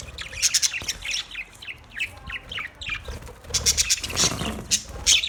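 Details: Budgerigars giving bright, high chirps and warbling chatter in clusters, a short quieter stretch mid-way, then louder overlapping chirps and squeaky notes toward the end over a soft low rumble.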